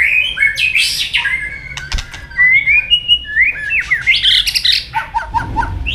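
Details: Training recording of a White-rumped shama in fighting song: rich varied whistles, buzzy chattering notes and rapid trills in quick succession, with sharp clicks and snaps scattered through.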